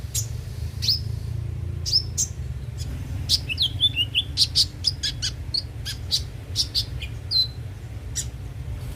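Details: Van Hasselt's sunbird song used as a lure to make the bird sing daily: sharp high chirps and short downslurred notes in irregular bursts, some brief twittering trills, over a steady low hum.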